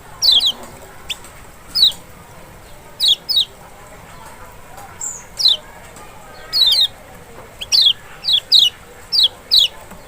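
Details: Lemon-bellied white-eye, Lombok or Sumbawa kecial, used to coax a silent bird to respond: sharp descending high notes in scattered bursts, sometimes in quick pairs, clustering more densely toward the end over a low hiss.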